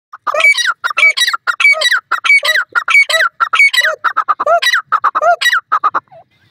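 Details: Grey francolin calling loudly: harsh, ringing multi-note phrases repeated in a steady rhythm about every half second to second, each with a sharp high note and a lower falling note, continuing for several seconds with clear pauses between phrases.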